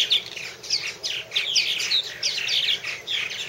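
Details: Purple martins at one of three nest houses, filmed in 2014: a dense run of short, bright chirps and gurgling notes, several overlapping, rising and falling in quick bursts with almost no pause between them.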